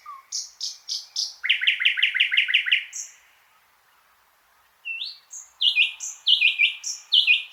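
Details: Thrush nightingale in full song, a quick series of high clicks, a fast chattering run of repeated notes, a pause of about two seconds, then whistled and rattling phrases resume.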